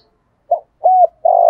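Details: Spotted dove with thổ voice, luring wild doves; only the start of a phrase: a short note, a level coo and the beginning of a longer coo, cut off abruptly.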